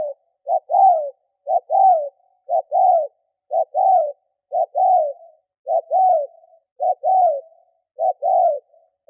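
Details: Decoy spotted dove cooing to stir up wild birds: steady, rhythmic pairs of a short note and a fuller, arched coo, repeated roughly once a second with no other sounds.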